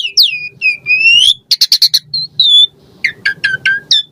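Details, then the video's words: Caged Asian pied starling song used as a prompt: long falling and rising whistles, a burst of rapid clicking notes, a short whistle, then a series of chattering downslurred notes. "Jalak Suren Gacor Full Isian Variasi Mewah !!! Pancingan Jalak Suren Ocehan Suara Burung"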